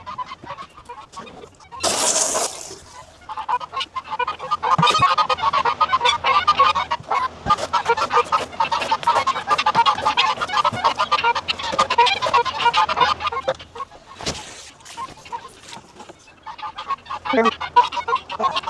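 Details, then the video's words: Helmeted guineafowl on a homestead during morning chores: harsh, rapid, repeated calls, muffled behind the steady hum of a window fan. "You can hear first of all the guinea fowl."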